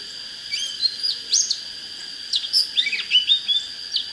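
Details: Oriental magpie-robin song, used to fire up birds for fights with wild decoys: spaced sweet whistled notes and quick downward slurs in two loose phrases, against a steady high tone.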